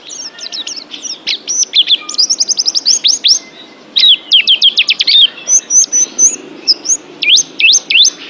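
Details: Training recording of a pet oriental white-eye singing: fast bursts of high, sharply upslurred whistles in tight runs, a short pause, then more clipped rising notes and brief trills.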